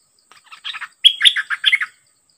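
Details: A Dok Taeng decoy bird confronting a fierce captured wild bird gives soft scratchy chatter, then a loud clear whistle leading into several quick, lilting chirpy notes.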